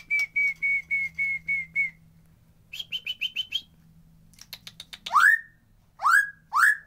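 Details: White-rumped shama singing, a natural recording without effects meant to coax quiet birds to sing: a steady run of clear whistled notes, then a higher quicker series, followed by loud upward-swept whistles with crisp clicks.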